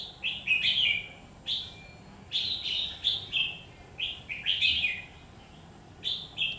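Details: Red-whiskered bulbul kept as a trap bird, fight-singing on 17 October 2019: rich whistled phrases with a rising-then-falling, slurred shape, repeated roughly every second, loud against a soft background hum.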